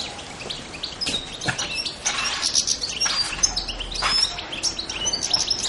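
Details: Goldfinch song from Pantelleria island, 2 January 2011: busy high-pitched twittering and tinkling notes, less clear, over a steady hiss of outdoor background noise and a few low knocks.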